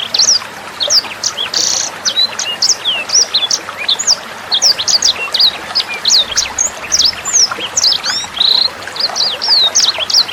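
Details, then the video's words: Sanger bird song from a tutor recording meant for training captive birds: steady stream of high, thin twittering notes and quick slurs, hardly any gaps, accompanied by gentle running water. "SUARA MASTERAN BURUNG SANGER NEMBAK JERNIH"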